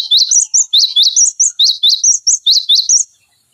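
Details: Cinereous tit tutor song for training other cage songbirds: a steady three-second stream of sharp, high chirps, alternating lower and higher notes at a quick, even pace.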